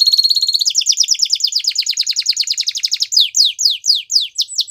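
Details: Belgian canary training song: a long rapid trill of repeated bright notes that speeds and shifts pitch, then slower, strongly falling whistled notes.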